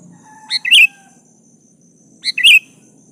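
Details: Sooty-headed bulbul singing vigorously to call a rival, a plain song without imitated phrases: two short, bubbly, chirping phrases about two seconds apart, each a quick cluster of bright notes, with faint low background hum.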